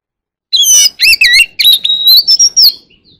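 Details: Oriental magpie-robin giving a flock-calling song: looping, warbled whistles, then a rising, drawn-out whistle that fades at the end.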